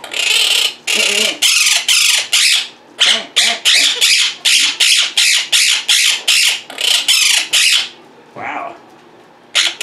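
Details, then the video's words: Several pet Quaker parrots being very vocal indoors: loud, harsh, grating squawks repeated about twice a second in a steady series, then a pause and a faint human murmur. "Quaker Parrots Being Very Vocal and Mimicking"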